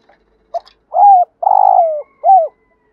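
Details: Spotted dove used as a decoy, cooing in the morning to lure wild doves: a short opening note, a steady hooting coo, a long throbbing coo that slides down at its end, then a final arched coo, against a silent background.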